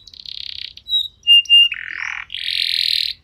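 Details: Canary lure song for prompting other canaries: a steady buzzy trill, short piercing whistles, a descending rasp, then a long bright buzzing roll.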